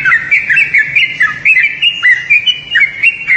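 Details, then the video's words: Loud, bubbling chatter from a Yellow-vented bulbul, a steady stream of short warbled chirps with several sharp downward-swooping notes mixed in. "SUARA HEWAN SUARA TRUCUKAN"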